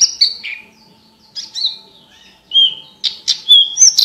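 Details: Singing Horsfield's bush lark, a tutor recording for competition birds, clear-voiced: sparse high whistles and slurred chirps separated by short silences, with a faint steady low hum underneath.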